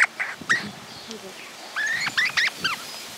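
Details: Guira cuckoo in rural groves of Santa Fe, Argentina, 2023, whose varied calls come from one bird or are answered by others, gives loud, harsh calls, then four or five rising, nasal whistled notes, with sharp clattering sounds.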